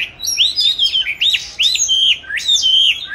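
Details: Caged oriental magpie-robin, raised since 29 July 2020, recorded 22 March 2021 while hung in a chosen spot to practise singing. Loud rising-then-level whistles come in quick succession, each with a bright upsweep.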